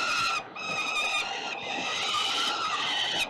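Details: Peregrine falcons fighting over prey at 367 Collins, Melbourne CBD, 5:07 p.m. on 5 November 2022. A short scream, a brief break, then drawn-out, rasping, harmonic wailing that holds almost unbroken to the end.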